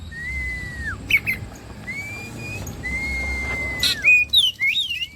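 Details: Bait song of an Oriental magpie-robin (kacer) to trigger singing: drawn-out pure whistles, each ending in a downward slur, separated by brief chips, then a quick run of twisting notes at the end.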